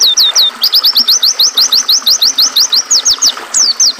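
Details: Sharp, high chirps from an oriental white-eye come in a steady, fast rhythm and end with a couple of longer downward sweeps. A faint river hiss lies behind the song, which is played for training caged birds.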